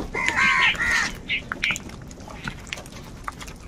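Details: Crows squabbling over food: two or three quick, hoarse caws in the first second and a half, then softer scattered notes and rustling background noise.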